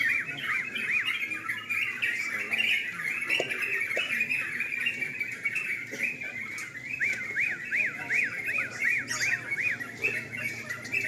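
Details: Sooty-headed bulbuls singing at a night-time singing contest: dense, overlapping bright chattering phrases without pause, ending in a run of quick, evenly repeated rising-and-falling whistled notes, with faint human murmur underneath.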